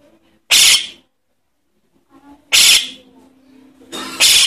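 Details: Javan myna young begging, used as a lure for adult birds: three harsh, buzzy rasps spaced about one and a half to two seconds apart.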